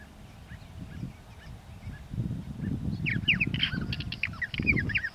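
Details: Purple martins calling outdoors: a busy run of short chirps and rough gurgling notes in the second half, partly covered by heavy low rumbling background noise.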